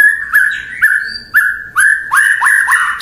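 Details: White-rumped shama (murai batu) song meant to provoke rival birds into answering: the same clear whistled note, slurred upward, repeated about twice a second.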